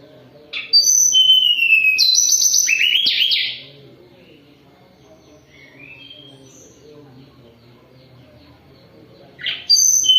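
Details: Moulting Sunda robin sings a rich, complex whistled phrase of rising and falling notes, pauses for several seconds with only soft notes, then begins another phrase.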